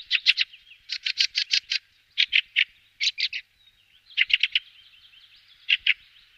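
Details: A fieldfare gives harsh, dry chattering alarm bursts, clusters of three to six rasping notes repeated every second or so, with a faint whistled phrase of the male's song between them.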